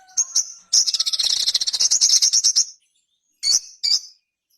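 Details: Ruby-cheeked sunbird, called sogok ontong, delivering a two-second pulsing high trill, bracketed by thin sharp chip notes.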